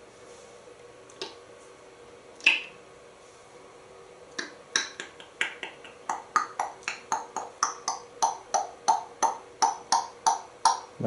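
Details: Sharp finger-snap clicks, sparse at first and then quickening into a steady run, in a small room with no animal voice.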